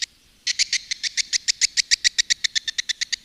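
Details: Swiftlet calling and roosting lure sound used by Indonesian swiftlet farmers. After half a second of quiet, a steady train of short, bright, high chirps follows, about seven per second and evenly spaced.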